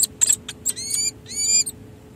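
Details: Pair-bonding peregrine falcons at San Jose City Hall, 16 July 2024, after a full breeding season. Sharp clicks and ticks lead into two drawn-out, high, whining harmonic calls. A faint steady hum sits below.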